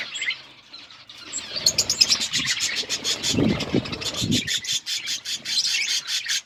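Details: Colourful budgies chirping, rapid clicking and ticking chatter mixed with warbled notes, rustling and wing movement underneath.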